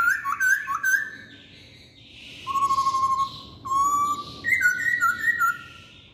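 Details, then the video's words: Masked laughingthrush delivering paired rising whistles. Then come long steady level whistles with a hoarse quality, and a final sequence of stepped, slightly descending whistled notes. "Kicauan Poksay Hongkong"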